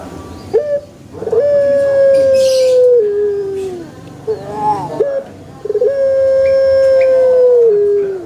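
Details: Two long crows from a young pelung rooster in a banana garden, each held steady for roughly two seconds before falling in pitch, separated by short rougher notes.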